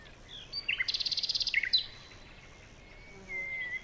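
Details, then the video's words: In a jungle, a bird gives a fast rattling trill of about a dozen even notes, framed by short chirps, then a long thin whistle toward the end. "Bird Sounds SFX"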